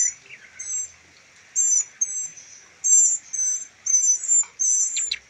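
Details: A trio of rescued young northern mockingbirds under rehabilitation for release gives roughly eight piercing high squeals, some run together in pairs, with a few faint clicks near the end.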